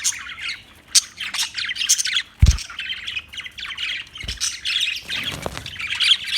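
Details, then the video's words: Budgie chatter: a continuous stream of quick, raspy chirps and squeaky warbles that rise and fall, broken by a couple of dull knocks in the background. "Beautiful Budgie Beautiful birds Chirping Sounds"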